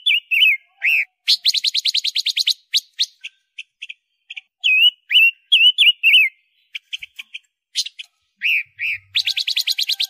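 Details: Loud Pekin robin song used as tutor material for songbirds: fast rattling trills of rapid high notes alternate with short whistled slurs and scattered chips, trilled bursts repeating over ten seconds on a clean, quiet background.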